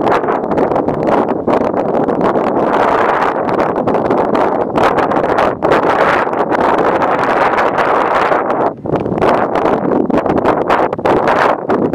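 Steady broadband rumble of wind or engine noise fills the whole recording, with no animal calls standing out.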